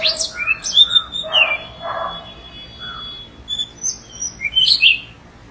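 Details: Orange-headed thrush, a pair in the wild, singing a varied run of clear whistled phrases: low mellow notes, a long steady high whistle, then quick sharp high chirps and twittering toward the end, with faint background hiss.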